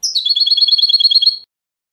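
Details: European goldfinch giving a single rapid rattling trill of even, buzzy notes lasting about a second and a half.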